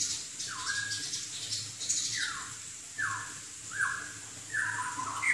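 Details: Chinese hwamei (Garrulax canorus), a songbird from southern China, giving a repeated clear whistled phrase about once a second, each note swooping down then up, over a constant high hiss.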